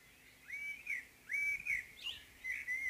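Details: Common blackbird singing its morning song: mellow whistled phrases around the same pitch, three short warbled bursts roughly one second apart, each with a brief higher flourish, over quiet background.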